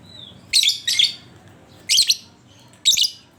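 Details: Lovebird used as a lure to get other lovebirds singing, giving harsh, buzzy high chatter in short bursts, two close together, then two more spaced about a second apart.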